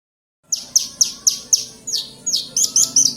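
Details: Black-winged myna singing in full voice: a rapid series of sharp, high descending chirps, about four per second, rising into brighter whistled notes toward the end, with a faint low hum behind.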